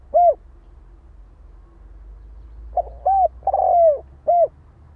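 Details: A lone soft coo from a spotted dove, then after a pause a full phrase: short note, arched coo, long purring falling coo and a last rounded coo; low hum underneath.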